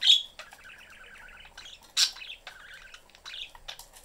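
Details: Pet budgerigars, a family of father, mother and young, in a cage with the door open; the young one seeks attention. Bright chirps and a fast buzzy warbling chatter, with sharp squeaky notes at intervals.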